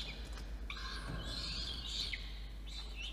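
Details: Peregrine falcon chick begging as an adult brings food to a nest box at the top of a water tower in Orange, New South Wales, Australia, evening of 5 November 2021; harsh screechy calls with a few thin chirps against steady hum.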